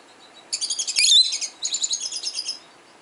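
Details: A 12-year-old male pet peach-faced lovebird, indoors and played recordings of other lovebirds, calls back with a sharp shrill chirp and then fast, pulsed, buzzy chattering. Two runs of about ten rapid notes follow one another.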